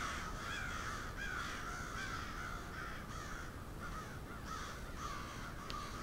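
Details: Large crow flock on Steadman Street, Moncton, New Brunswick: continuous rasping caws from many birds, irregular and overlapping, with a steady background hiss.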